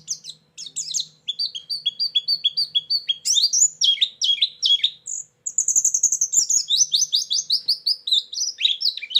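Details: White-eye lure and filler song for attracting birds, described as energetic and full: dense, high-pitched twittering of rapid chirps and downslurred notes, with a brief pause midway before a run of fast trills resumes.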